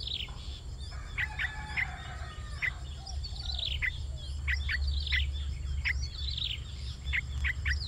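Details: Yellow-vented bulbul (Pycnonotus goiavier) chicks, about day 5, begging to be fed: rapid, thin, high squeaks in overlapping bursts, several each second, over a steady low rumble.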